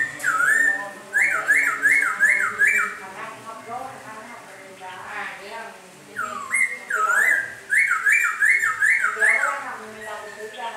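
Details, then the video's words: Laughingthrush in the rain, singing bursts of rapid looping whistles that rise and dip in quick succession, about five loops per burst, separated by short pauses filled with softer chatter. "Khướu mun hót trời mưa"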